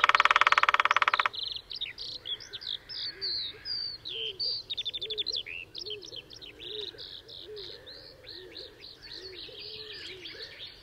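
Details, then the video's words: A lesser spotted woodpecker drums in territorial display early on a sunny morning at Sandemar Reserve, Sweden, where a pair held territory: one fast, even rattling roll of about a second and a half, followed by a busy songbird chorus and low cooing. "Display of Lesser Spotted Woodpecker"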